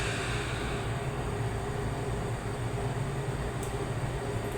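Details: Steady low rumble with a droning hum, like a passing train or vehicle, and a faint tonal whine; no animal calls.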